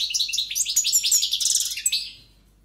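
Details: European goldfinch, a strong-voiced caged male, singing a fast tumbling run of twittering, tinkling notes and buzzy trills, ending in a brief rattle before fading out.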